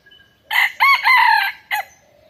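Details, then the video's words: Rooster crowing on a farm: a short opening note, then a loud, drawn-out, several-part crow with rising and falling harmonics, closed by a brief clipped note, against a quiet background. "Relaxing farm scenery with chickens and church bells sound effect"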